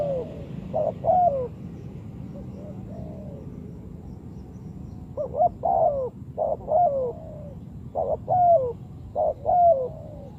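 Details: Spotted dove coos played to lure birds into traps: after a quiet start, groups of short hoarse notes each ending in a longer falling coo, repeated steadily over low background rumble.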